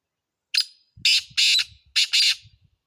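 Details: Black francolin's grating call: a short opening note then two pairs of loud, buzzy, raspy bursts, with faint low thumps underneath.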